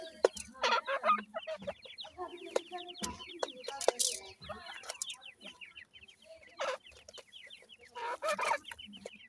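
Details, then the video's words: Grey francolin chicks, known locally as dakhni teetar, raised by adult birds; steady streams of short descending peeps repeated rapidly, with occasional sharp loud bursts and soft lower clucks. "dakhni teetar k gora bachay,partridge bird babys"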